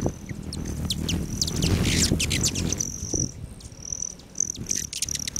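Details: Hummingbirds around feeders on a west-facing patio outside Great Sand Dunes National Park, Colorado, on July 29 at 9:14 AM: quick high chips and short bursts of high buzzing trill, with low rumbling noise early on.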